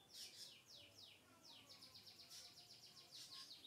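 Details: Lovebird, kept as a pet, giving rapid high chirps and sweeping downslurred squeaks, a fast chattering series with quick repeated notes and brief pauses.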